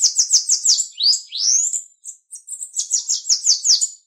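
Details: High, hurried bananaquit song meant to get other birds singing: rapid buzzy notes, two long upward-gliding whistles, then another fast run of thin, sizzling notes.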